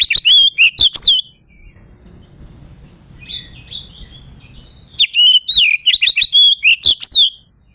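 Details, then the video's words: Oriental magpie-robin in ngeplong style, calling a rival to provoke it: a rapid burst of sweet, slurred whistles, then soft, thin notes over quiet background noise, then another fast run of loud warbled phrases. "Suara burung Kacer ngeplong memanggil lawan bikin emosi"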